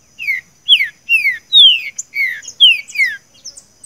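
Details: Green-winged saltator song in the 'seu chico' style, used for training a captive bird: a fast series of clear, downslurred whistles, about seven strong notes in under four seconds, with faint high overtones.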